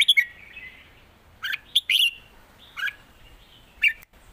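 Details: Red-whiskered bulbuls kept in cages trade songs in a contest, southern master style: a few loud, clipped, liquid notes in quick pairs, then a gap and a single closing phrase.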